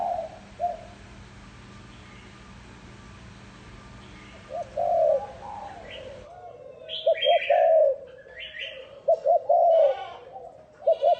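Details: Spotted dove cooing as a decoy to lure wild doves: faint distant coos at first, then louder quick stuttering coos and rolling notes, with sharp higher chirps from other birds.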